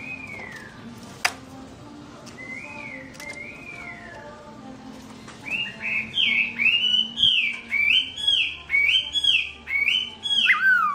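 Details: Melodious song of a black-throated laughingthrush left alone by its owner, 2017: a few soft slurred whistles, then a fast run of loud, upswept chirping notes repeated about twice a second.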